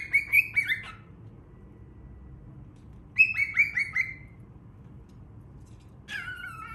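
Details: Baby cockatiel chirping in quick runs of four to five bright notes. The runs are separated by pauses, and a longer raspy call follows near the end.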